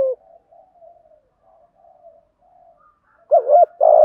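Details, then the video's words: Spotted dove giving the urging coo in a deep, earthy voice style: soft, low hooting coos repeat faintly through most of the recording, then two loud, wavering coo phrases burst out near the end in a quiet setting. "cu gáy thúc gù giọng thổ cực đỉnh"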